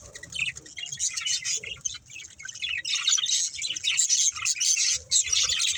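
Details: Several budgies chirp while playing and eating, uneven bursts of squeaky, scratchy chatter that grow louder after the third second, over light low rustling.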